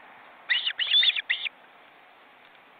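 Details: Osprey chicks, nearly grown and flapping their wings in a nest in an Estonian forest reserve, give a quick run of four high, sharp whistled chirps in about a second, over a steady soft hiss.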